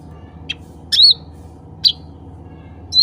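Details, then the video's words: Cucak ranting bulbul calling to other birds of its kind: a loud upslurred whistle followed by a shorter rising note and the start of a third, with a faint high chip before them, against a low humming background. "CUCAK RANTING SUARA ASLI MEMANGGIL CUCAK RANTING LAIN"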